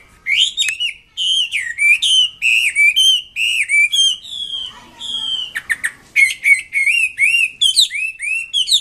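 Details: Energetic singing from a wambi kembang mandarin bird: a fast, steady string of rich, bent whistled notes, roughly one per second, with a few harsher buzzy notes midway.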